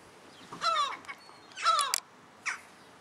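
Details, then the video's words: Wild European herring gulls, a pair with their chick, in Alkmaar, Holland, on a rainy 17 July 2011: two loud harsh descending mewing calls about a second apart, followed by a shorter fainter note, over a quiet background. "herring gulls with chick"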